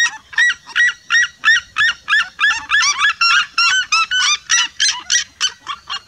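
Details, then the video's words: Several red-legged seriemas calling as a flock, producing a loud, steady run of shrill yelping notes at a fast pace, voices overlapping densely throughout. "O canto vibrante de um bando se seriemas."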